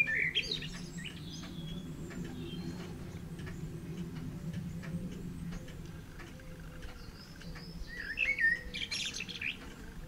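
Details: Two bursts of Eurasian blackbird warbling, at the start and again near the end, with a pigeon's rhythmic cooing filling the quieter middle. Another blackbird sings in the background, as if the pair were trading phrases.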